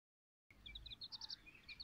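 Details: Silkie and Golden Sebright chicken chicks: after half a second of silence, a quick run of thin, high peeps, soft and closely spaced, some paired, lasting just over a second.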